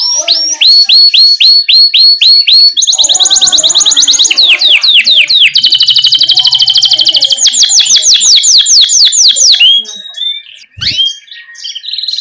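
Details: Energetic canary ngerol song for training young canaries: repeated rising whistles, a jumble of rapid chattering phrases, a long rolling trill and more swooping notes, with a brief pause and softer chirps near the end.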